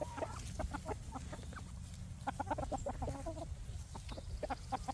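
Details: Several free-range farm chickens foraging for bugs in daytime; dense runs of short clucks and a few quick rising notes, overlapping callers, with a low steady rumble underneath.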